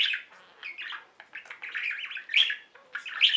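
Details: Several caged budgies chirp and warble in an indoor flock, with quick rising and falling tweets broken by brief pauses, then brighter chirps near the end.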